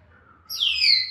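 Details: Grey parrot, a pet African grey, gives one loud clear whistle that jumps in high, then slides slowly downward over about a second, with a faint low hum underneath.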